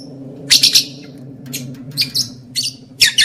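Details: Lovebird calls used to stimulate breeding condition in males and females, heard as several short bursts of sharp, scratchy chirping spread across the clip, with a constant low electrical hum beneath.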